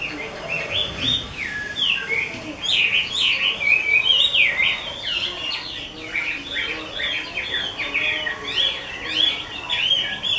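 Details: Chinese hwamei of a skilled keeper delivering a long, rapid, varied song of loud whistles, trills and slurred notes, tumbling phrases packed closely together, with faint low background noise.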